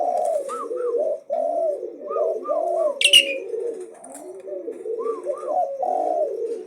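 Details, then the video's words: Fearless Asian pied starling challenging without pause, pouring out low rolling warbles with pairs of small upslurred whistles and one sudden harsh screech midway. "Jalak uren gacor tdk takut Menantang terus BUNYI NONSTOP"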